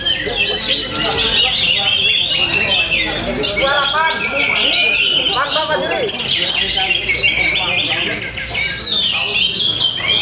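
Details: Orange-headed thrush from Tabanan, Bali, showing off its song rhythm, style and strong power: a dense, continuous run of rapid high whistles, trills and slurred chirps with almost no pauses, with faint lower voices beneath.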